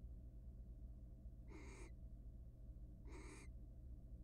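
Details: Two harsh, hissing screeches about a second and a half apart from a wild barn owl in a monitored nest box, in the mating period before egg laying; low steady hum underneath.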